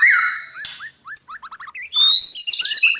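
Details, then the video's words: Morning training song of a white-rumped shama for competitive singing: a loud falling whistle, a pause of soft short chip notes, then a bright rising whistle sliding into a dense burst of high twittering. "Chòe lửa hót sáng luyện giọng cho bổi hót đấu căng lửa , chòe lửa luyện giọng"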